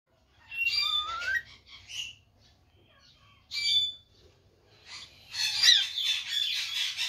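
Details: Parrot calling its father and imitating a chicken: a rising whistled slur among raspy chattering syllables, a short burst after a pause, then a long harsh noisy squawk.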